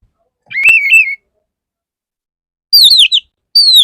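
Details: Male Oriental magpie-robin courting a female, giving a wavering whistled phrase, then after a gap two bright descending slurred whistles, clean and loud.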